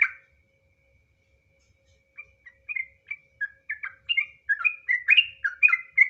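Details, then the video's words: Trucukan, the sooty-headed bulbul: a single sharp note, two seconds of quiet, then short whistled phrases that grow steadily louder and faster into a bubbling ngropel warble. "suara asli burung trucukan, trucuk nggaruda ngropel"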